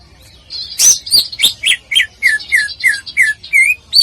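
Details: Contest tutor song of a greater green leafbird: a quick string of clear whistled notes, each dropping sharply in pitch, repeated roughly four times a second with a few higher rising notes mixed in.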